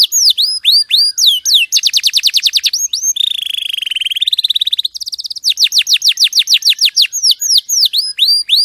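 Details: Canary champion song for tutoring: hooked chirps, a rapid trill, a long warbling buzzy roll, then a high steady tour and a return to fast downslurred whistles.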